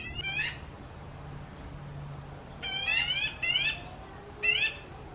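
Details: Magpie chicks, while preening and looking around, give four harsh, squealing calls, each about half a second long, in an uneven sequence over a low steady hum.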